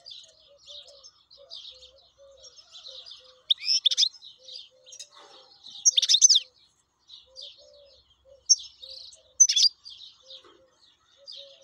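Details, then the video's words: Wild European goldfinch in song: rapid tinkling twitters and chirps, with louder buzzy, sweeping bursts around four, six and nine seconds. A faint, steady, low repeated tone runs underneath. "حسون بري شغال"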